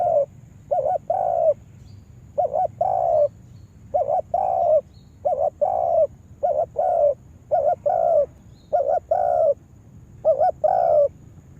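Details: Lure spotted dove for yard trapping, giving an unbroken series of about nine phrases, each a brief quavering double coo then a sustained soft coo, evenly spaced about a second apart.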